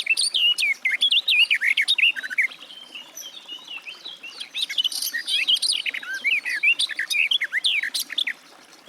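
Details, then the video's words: Sustained, rapid warbling from a garden warbler, a dense stream of chattering and slurred mellow notes. It eases briefly midway and then continues. "Warbler garden, birdsong"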